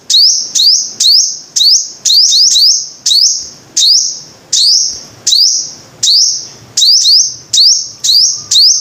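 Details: A sunbird, called the five-coloured sunbird, repeating a bright, high, upswept note that levels into a steady whistle, some fourteen bursts, some single and some doubled, in a brisk, steady run over nine seconds.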